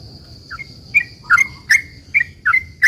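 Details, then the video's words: Sooty-headed bulbul in lively, frequent song meant to draw replies from other bulbuls: a few spaced, bubbly liquid notes, each a quick drop and rise, growing louder, against a steady high-pitched background tone. "trucukan gacor ROPEL PANJANG ini buat pancingan trucukan agar bunyi JADIKAN burung trucukgacor NYAUT"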